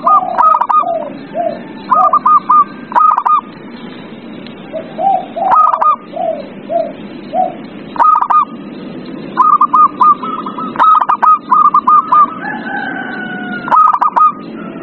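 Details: Zebra dove singing, played to coax a quiet dove into song. Bursts of rapid, stuttered cooing notes repeat every one to two seconds, separated by softer, lower coos, against a constant low background hum.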